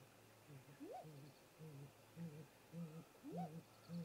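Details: Great grey owl pair visiting their nest snag tree in late-afternoon daylight, 18:58 MDT, 13 April 2018; the male arrives at the nest and the female follows. Soft, very deep hoots about twice a second, broken twice by a rising whooping note.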